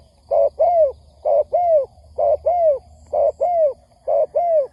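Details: Spotted dove calling on a lure recording to excite wild doves for trapping: six regular pairs of deep coos, a clipped note then a longer falling one, roughly every second, with a faint high double peep.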